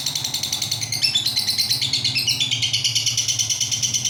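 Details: Pet lovebird giving its long ngekek trill: a shrill, rapid chattering of sharp pulses, about seven per second, held unbroken for the whole four seconds, with a low rumbling background hum.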